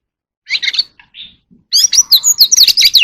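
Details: Oriental magpie-robin contest song: a short warble, a soft note, then a rapid, loud stream of high chirps and whistles.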